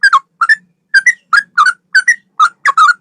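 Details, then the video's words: Sooty-headed bulbul song, a series of short bubbly two- and three-note whistled phrases, slurring up and down, repeated roughly every half second with brief gaps. "Burung trucukan gacor ropel 1 nafas panjang"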